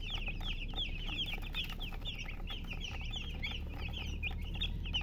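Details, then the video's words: Baby chickens cheeping in a crowd, shrill brief notes that bend up then drop, packed closely together and never stopping, set against steady low background noise. "MURGI Baby "Chicks Chirping" Sound"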